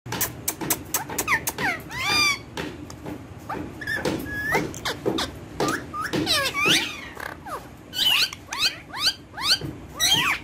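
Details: Several pet rose-ringed parakeets, trained talkers in Urdu/Hindi, play on a table; one named Max is very happy and playful, with other parrots audible behind. Quick squeaky chatter, rising and falling whistles and harsh chirps, almost nonstop indoors.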